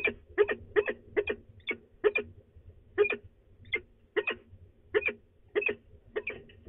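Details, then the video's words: Grumbling of a female peregrine falcon before she departs, De Mortel, Netherlands, morning of 24 March 2020. Rasping notes come in a steady, uneven series, often in pairs, over faint low background noise. "Mopperende V en vertrekt"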